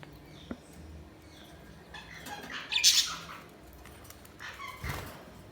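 Budgerigar giving a brief burst of harsh, high chirps and squawks amid soft background chatter.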